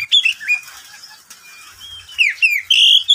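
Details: Caged oriental magpie-robin singing in the middle of the day: scattered clear whistles and slurred notes, ending in a bright, sustained high whistled phrase.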